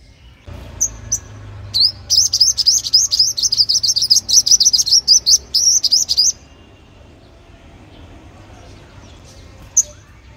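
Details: Olive-backed sunbird song played to lure wild birds and prompt singing: a long rapid trill of high twisting notes lasting about four seconds, preceded by a few chips, with a faint low hum beneath.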